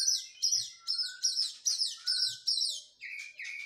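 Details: Oriental magpie-robin recovering from its moult and in physical training, repeating a sharp high downslurred note about three times a second, with the last notes dropping lower.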